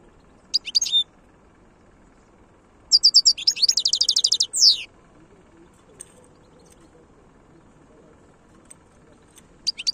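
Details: European goldfinch, khloui song style: a brief twitter, a quiet gap, then a dense burst of rapid high chattering notes lasting about two seconds, followed by long silence and a faint final flourish.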